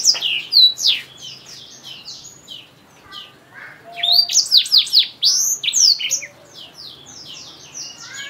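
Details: Black-throated canary, a seed-eating finch from Africa kept as a song tutor for canaries, singing a fast, varied run of high chirps, sweeping whistles and trilled bursts, loudest in the middle.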